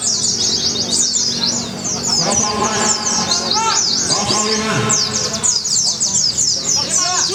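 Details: White-eye competing at a bird song contest in Semarang, Indonesia, sustaining a rapid, shrill twittering outpouring called 'nembak', amid other singing birds and lively crowd noise.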